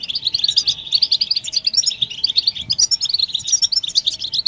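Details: Several European goldfinches twittering together, a group recording meant to stimulate silent males to sing. Dense, bright, rapid chirps and trills pour out continuously and overlap throughout, with a faint steady hum underneath.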